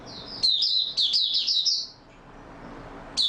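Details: Oriental white-eye, stable singing form, 28 February 2022: a thin high note leads into a quick run of warbled, up-and-down twitters lasting over a second, then silence and a fresh chirp.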